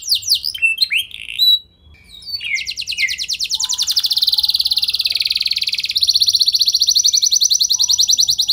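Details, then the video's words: Canary singing as a lure to make other canaries respond: a few short falling chirps, then long fast rattling trills of rapid repeated notes that shift in pitch around the middle. "Burung Kenari Kondisi Apa Saja Bisa langsung Respon Dengan Pancingan Kenari Gacor Satu Ini"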